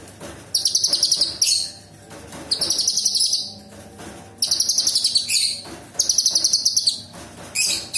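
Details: Sooty-headed bulbul (cucak cungkok), a singing bird in a 'tembakan' style for song training, with sharp, harsh shots. Rapid high, dry chattering trills come in bursts of about a second, separated by short pauses, over a faint low hum.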